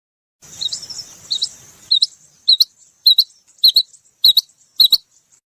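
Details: Female rain quail (Coturnix coromandelica) call: an opening run of thinner squeaky notes, then sharp, high chirping notes repeated roughly every half second in a steady series.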